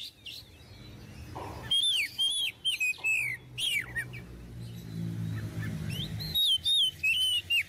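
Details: Oriental magpie-robin in full song, offered as a model song for novice magpie-robins; loud swooping whistles and quick downslurred notes in short bursts over a soft low background hum.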